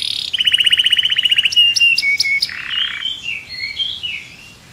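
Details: Agitated canary in its cage sings a fast, evenly repeated trill that gives way to sharp high chips and softer warbled, slurred whistles fading toward the end.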